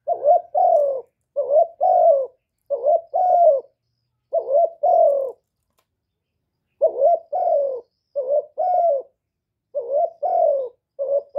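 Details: Kept spotted dove cooing to rouse other doves: steady run of two-note phrases, short then drawn-out and sliding down, with one pause of about two seconds midway, recorded clean without other sounds.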